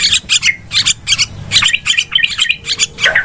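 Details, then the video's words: Yellow-vented bulbul trapping-lure calls, a brief stretch of harsh, squawky chatter delivered in uneven bursts about three per second, several notes stacked together. "SUARA PIKAT TRUCUKAN RIBUT"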